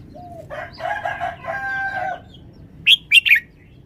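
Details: Red-whiskered bulbul kept in a cage, showing off its song style. A rooster crows for over a second first, then three sharp, bright whistled notes burst out in a fast, ringing phrase.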